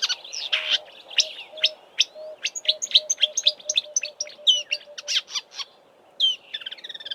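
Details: A marsh warbler in Eastern Cape bush, South Africa, in March before migrating north, sings continuously, mimicking about nine southern African bird species: a fast, varied medley of sharp chips, whistles and buzzy notes over a steady low hum of insects or frogs.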